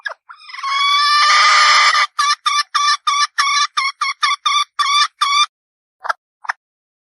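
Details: Hen red junglefowl, wild forest bird: a sustained rasping squawk leads into about eleven quick, evenly spaced harsh notes, then a pause and two soft trailing clucks.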